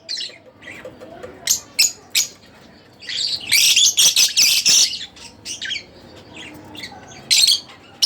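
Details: Scattered shrill chirps from a split blue Fischer's lovebird lead into a loud, harsh, sustained chatter, then tail off into a few isolated squeaks.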